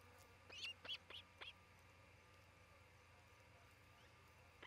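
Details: Osprey at a nest cam in Charlo, Montana, late June 2018: four quick, high whistled chirps in the first second and a half, then only quiet background hiss.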